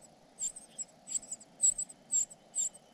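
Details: Fledgling cuckoo fed by foster parents, uttering shrill, thin squeaking notes in quick pairs and singles, fairly loud against a soft steady hum.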